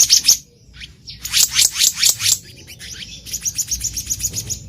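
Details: In the wild, a black-naped monarch used to lure birds for trapping gives harsh, high, rapidly repeated notes, first loud and downslurred, then a faster, softer run.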